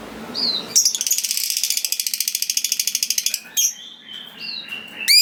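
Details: Lovebird, a contest fighter bird, giving its long 'ngekek' trill, which the owner says provokes rival lovebirds to answer: a brief squeak, then a rapid buzzy trill of about thirty even pulses for two and a half seconds, followed by thin whistles.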